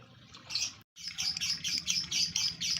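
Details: Excited male lovebird in breeding condition chattering in quick high squeaky bursts, repeated several times a second after a brief break.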